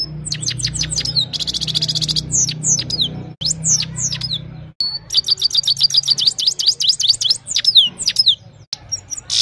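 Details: Himalayan goldfinch singing in the evening, recorded on a mobile phone: fast high twittering, sharp downslurred notes mixed with buzzy rattled trills, a few brief breaks, steady low hum underneath.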